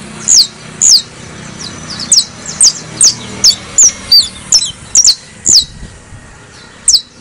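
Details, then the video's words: Criollo canary recording played to cheer up pet canaries and get them singing: sharp, high, downward-sweeping chip notes, about two per second, with short pauses and faint background hiss. "AUDIO para ALEGRAR a nuestro CANARIOS CRIOLLO, bastos, finos, criollos"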